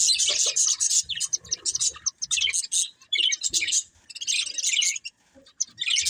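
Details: Two budgies of a breeding pair chirping in quick, high bursts of chattering warble, broken by short silences, the jumble at times almost speech-like.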